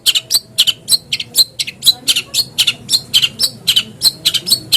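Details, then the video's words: Long-tailed shrike song meant to prompt caged shrikes to start singing; sharp, harsh repeated notes about three per second with brief whistled inflections. "PANCINGAN BURUNG CENDET AGAR CEPAT BUNYI"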